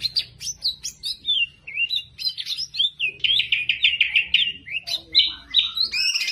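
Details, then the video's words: Champion greater green leafbird in a cage sings a lively, varied medley of whistles, slurs and quick trilled runs, barely pausing between phrases. "Masteran Cucak Ijo Full Isian Burung Juara"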